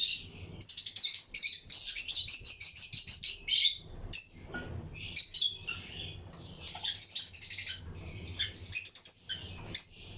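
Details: Lutino lovebirds, pairs kept in a breeding colony flight aviary, chirp and sing alongside other birds: dense bursts of sharp, high, scratchy chirps in rapid runs, with brief pauses between flurries.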